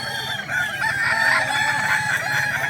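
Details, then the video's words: Kukuak Balenggek cockerels crowing at a contest in Danau Bawah, Sunday 6 October 2024: a dense, steady chorus of overlapping, wavering crows, with one lower crow sliding downward in the middle. "Lomba ayam kukuak balenggek"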